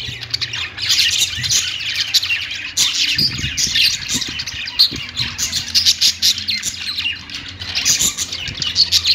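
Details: Pet budgies perched and singing, a thick wash of high squeaky chirps and warbles from several birds, with a few soft low knocks in the background.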